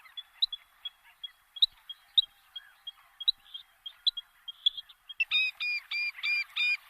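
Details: Little Grebe, a small diving bird of reed-bordered wetlands, giving scattered thin high pips that break into a fast run of ringing, harmonic notes at the end.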